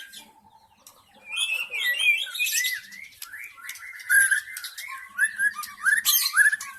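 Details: Wild forest white-rumped shama used as a lure sound: a dense, rapid run of whistled and chattering notes that rises and falls, with sharp high bursts near the end.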